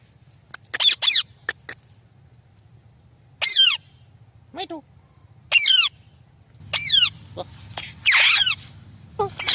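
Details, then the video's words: Indian ringneck parrot at home making sharp, downward-sweeping screechy squawks in brief bursts, some closely repeated, with a low background hum and a few clicks. "Indian parrot talking"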